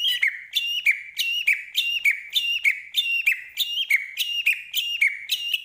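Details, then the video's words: White-rumped shama of the Medan type in constant, full-repertoire song: a clear two-part whistled phrase, a high note dropping to a lower one, repeated steadily about every half second with little variation. "Murai Batu Medan Gacor Full Isian"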